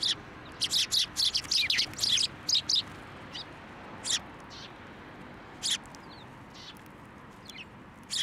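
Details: Sparrows at a Tenmangu shrine in January flying onto a hand to be fed, with a quick run of sharp chirps at the start, then single scattered chirps spaced a second or more apart.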